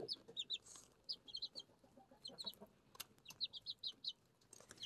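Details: Six home-kept chicks, Araucana and Leghorn breeds, feeding and drinking; steady high-pitched peeps, often doubled, repeated throughout with light tapping sounds between.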